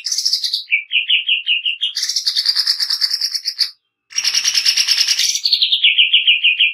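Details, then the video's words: Greater green leafbird in a harsh, rapid 'nembak kasar' song: dense buzzy bursts alternating with quick runs of high chirped notes, about three per second, broken by a brief pause. "Cucak ijo nembak kasar"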